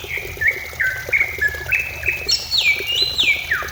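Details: Lure song of a greater green leafbird, meant to prompt singing: a chain of short whistled slurs, each dropping in pitch, about three per second, climbing higher, then a brighter high-pitched burst and a falling whistle.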